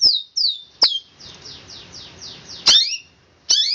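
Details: Long-tailed shrike song in the 'roll speed rapat' style, with loud downslurred whistles, a faint run of softer falling notes in between, and sharp chips at the end.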